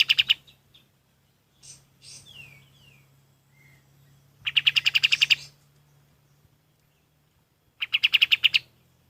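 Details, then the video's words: Kapas tembak, the golden-bellied gerygone, recorded as training song for other birds. A short opening burst and a few soft slurred chirps are followed by two quick runs of sharp, high repeated notes, each about a second long. "SUARA KAPAS TEMBAK"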